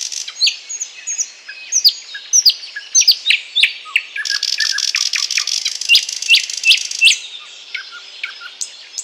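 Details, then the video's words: Bird concert in Bryansk with a thrush nightingale: varied sharp, descending whistled notes at an irregular pace, broken by a long buzzy, churring stretch in the middle, then more scattered high chips. "Thrush nightingale (Luscinia luscinia) 00:24, 04:35"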